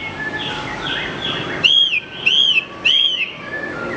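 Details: Horsfield's bush lark, recorded to train other songbirds, gives three loud, ringing whistles that rise and fall, spaced about half a second apart, after a quiet stretch of faint twittering.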